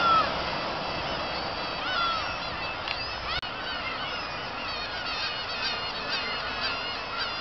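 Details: Kabushima black-tailed gulls on 2 August 2012 following fireworks: a long descending mew opens, then a chorus of short bouncing yelps and another drawn-out cry, with a sharp click midway.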